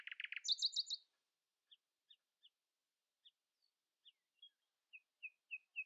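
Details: Common nightingale singing in the early morning, refusing to let rivals sing louder: a burst of rapid, loud chattering notes in the first second, then sparse, thin high notes spaced out with silent gaps.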